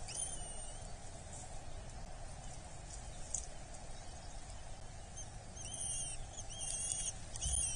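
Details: Eurasian hobby chick at a Dorset nest being fed on 8 July 2024; after a quiet stretch, thin, high whistled notes, each slurring downward, come in short bursts over a steady low rumbling background.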